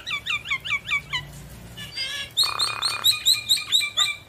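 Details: Javan myna singing busily with bobbing head to provoke quiet mynas: a string of downward-curving whistles, a harsh noisy burst, then rapid bright chirping whistles repeated about twice per second.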